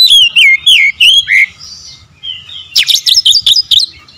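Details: Magpie-robin song opening with a series of rich, descending whistled slurs, then a soft pause and a quick run of sharp, buzzy, high chattering notes.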